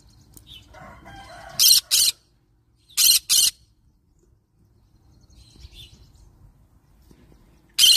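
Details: Soft, layered chatter opens, then a yellow-sided green-cheeked conure parrot lets out two doubled harsh screeches about a second apart, followed by quiet and one final shriek at the end.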